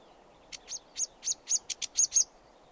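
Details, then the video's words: Short burst of sedge warbler song: eight crisp, high, scratchy notes in quick succession, some ending in a thin whistle, over quiet background. "Sedge Warbler Chirping"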